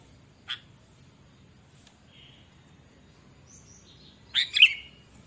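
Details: Sooty-headed bulbul in full, energetic song, played as a lure to prompt other kept birds to sing. A single sharp chirp comes first, then a long quiet gap, then a bright, rich burst of twisting chirped notes near the end.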